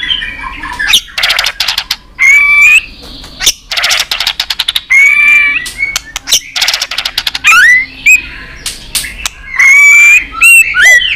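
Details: White-rumped shama in competitive singing, delivering long stream-like song strings used to provoke rivals: loud whistled notes near mid-high pitch, some rising, mixed with dense bursts of sharp rapid clicking and ticking, with short pauses between phrases.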